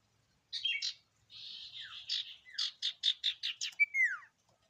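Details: Sirtu singing a varied phrase: scratchy chirps, a drawn-out buzzy warble, then a quick series of loud clipped notes ending in a falling whistled slur.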